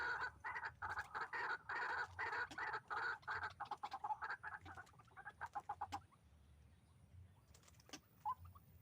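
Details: White-breasted waterhen calling while being lured for trapping with a hanging snare: a run of loud, raucous, grating croaks in quick succession, fading into softer, faster notes and then near quiet with a single faint note.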